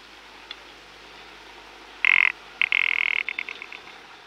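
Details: Rock ptarmigan (Lagopus muta), rattle call: male call aimed at rival males in breeding season.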